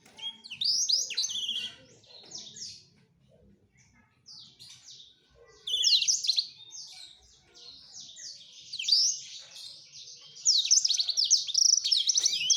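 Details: Courting male black-throated canary singing to a female in three long bouts separated by quieter gaps, each packed with rapid high trills, sharp chips and sweeping whistles, ending loudest.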